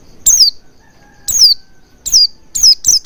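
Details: Oriental white-eye lure sound used to prompt singing: sharp high descending chirps, first widely spaced then coming faster, five to six in about three seconds, with a faint low hum behind.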